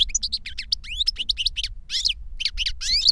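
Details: Young novice and adult master European goldfinches, captive, singing learned 'reclamo' song; rapid jumble of high chirps, short buzzy notes and rising whistled slurs filling the whole stretch, with soft low hum underneath.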